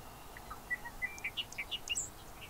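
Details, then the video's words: Bobolink giving a series of short, bright, bubbling notes that step upward in pitch, each one quick and metallic, spaced a fraction of a second apart, over a faint background hiss. "Bobolink calls and songs"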